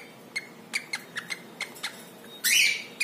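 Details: Pet cockatiel, a male, calling while taking a dip in water to bathe, with no music added: short sharp chirps repeated about three times a second, then a loud harsh rasping squawk and another chirp.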